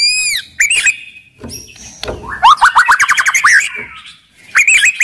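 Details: Aggressive, agile white-rumped shama whose loud song serves to goad other shamas into singing and fighting; downslurred whistles open, then a fast run of repeated rising notes over rattling clicks, ending in whistled phrases.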